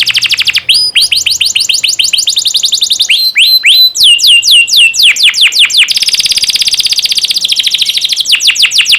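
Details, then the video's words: Canary song used as a tutor recording for young canaries, meant to make them sing actively: loud, fast series of sharp downslurred notes and chirps repeated several times a second, shifting into buzzy trills and rolling rapid phrases. "Masteran burung kenari paud biar gacor"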